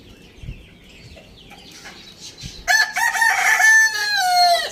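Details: A rooster crowing in the morning on a village farm gives a loud, harsh crow of several drawn-out syllables ending on a falling note, after a few quiet seconds of soft rustling.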